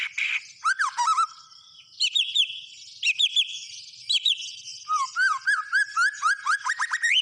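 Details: White-rumped shama in full, lively song: varied whistled phrases, some low slurred notes near the start, then bright high warbles and rapid repeated trills, phrases separated by short pauses.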